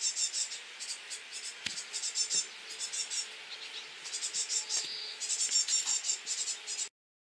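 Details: At feeding time, great tit nestlings beg in rapid, high, hissing chatter that swells in quick bursts several times a second, with a few soft knocks and a faint low hum.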